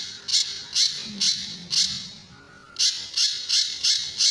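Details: Pijantur, the Sunda bush warbler, sings for training other birds with tembakan and besetan phrases. Scratchy high bursts come in two bouts of four and five, split by a pause of about one second.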